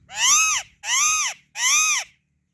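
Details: A female Alexandrine parakeet squawks three times, each call loud, harsh and rich in overtones, bowing up then down in pitch, with short even gaps between them.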